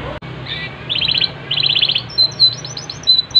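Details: Yorkshire canary song made of two rolling trills of fast pulsed notes, then a string of thin high chirps and sharp whistles.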